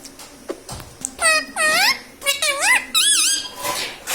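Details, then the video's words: Indoor talking parrot that mimics mummy and papa, with a run of loud, harmonic syllables that swoop down and back up like spoken two-syllable words, after some scraping and tapping sounds. "Mummy pappa talking parrot🦜🦜 || mithu hu mithu || मम्मी पापा बोलने वाला तोता"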